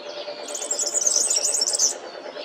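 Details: Brief, very high, crowded jingling trill of a European serin (Serinus serinus), lasting under two seconds, over a low droning hum.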